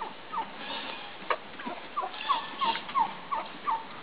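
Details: Midget White turkeys mating while a tom dances for a receptive hen; a run of about eight sharp, downward-slurred yelps repeated roughly three times a second, growing more regular toward the end.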